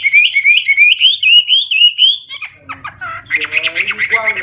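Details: Clear, loud Hwamei song: a rapid string of bouncing whistled notes, then a broken stretch and a burst of harsher, buzzy fill-in notes.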